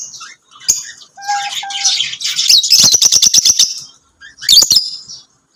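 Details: Lovebirds singing and chirping: high shrill chirps around 4–8k, a rapid burst of sharp repeated clicks and squeaks mid-clip, then a short final flurry after a pause.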